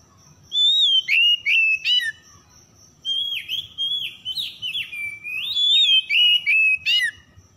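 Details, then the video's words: Oriental magpie-robin song used as a lure to get stressed, silent birds singing again: loud clear whistled phrases around the upper-middle range, sliding and looping, delivered in bursts with short sharp chips between them, plus a faint steady high tone. "PANCINGAN PEMIKAT KACER SETRES MACET BUNYI LANGSUNG GACOR"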